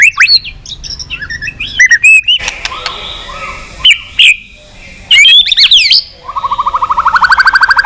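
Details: White-rumped shama song in many voices, played to stimulate shamas to sing: scattered clear whistled phrases, sharp clicks and brief trills, ending in a fast rising series of repeated notes.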